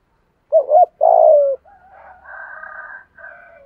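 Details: Spotted dove decoy bird in the 'giọng thổ' voice style, calling to lure and provoke wild doves. Two quick low coos, then a longer falling coo, followed by a fainter, drawn-out buzzy trailing sound.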